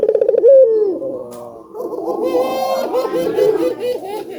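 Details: Collared dove song, from an albino bird, meant to stimulate doves into calling: a short burst of pulsed coos ending in a falling note. Several softer, bubbling coos from more doves overlap after it.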